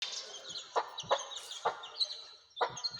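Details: Mother hen out with her baby chicks on their first outing: soft low clucks every half second or so, mixed with thin high peeping from the chicks.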